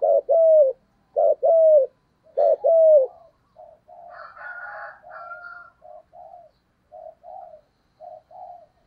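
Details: Giọng thổ-style cooing of a spotted dove: three loud paired hoots with upward-bending notes, followed by softer, fainter short coos trailing off in a broken series.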